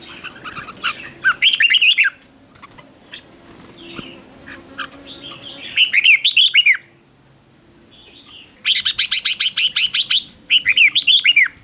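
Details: Red-whiskered bulbul used as a decoy to call in other bulbuls, in competition singing: bursts of loud warbled, bubbling phrases separated by quieter gaps with faint background hiss and distant chirps.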